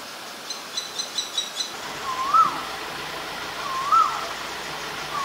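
An Asian koel gives loud, rising-then-falling ko-el notes about every one and a half seconds, after a quick run of high chirps from a smaller bird.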